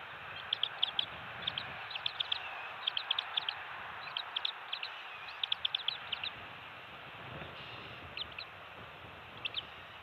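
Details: At a Florida bald eagle nest on Captiva/Sanibel Island, early morning shift change and fish feeding of eaglets two weeks old, 27 December 2020; sharp high chirps tumble in quick clustered series, pausing then resuming, steady background hiss.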